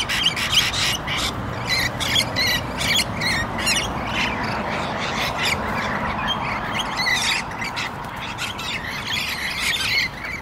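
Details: Australian rainbow lorikeets, two pairs in a ferocious ground fight for dominance, giving harsh broadband screeches in rapid bursts, with a steady rushing background noise throughout.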